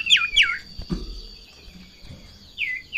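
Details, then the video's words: Sirtu in breeding condition, roused by a rival or female: two loud looping whistled notes at the start, then quiet, then two more rising-falling whistles at the end, over a faint steady high tone. "Sirtu Ngamuk Narung !! Garuda Birahi Over"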